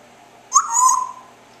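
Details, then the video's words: Pet parrot chirping indoors in the afternoon: a single tonal chirp with a bright onset that slides and fades over about half a second, in a quiet room. "the parrot making chirping noises"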